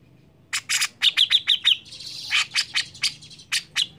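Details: Grey-cheeked bulbul singing vigorously to prompt other birds: a quick series of sharp, chirping notes with a twittering run in the middle, then spaced, harsher chattering notes.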